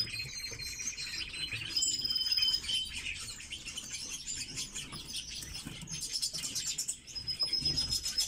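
Red-billed leiothrixes chirp and warble in high, busy bursts, several short notes a second, overlapping as if more than one bird sings at once.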